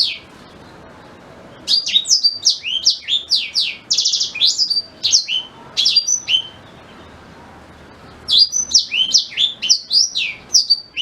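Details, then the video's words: Black-throated canary singing, its song used to tutor a white-rumped shama: two bursts of rapid, high sweeping and slurred notes, the first about six seconds long, the second after a two-second pause, over a quiet background. "Suara Asli Blackthroat Pas Buat Guru Murai Batu"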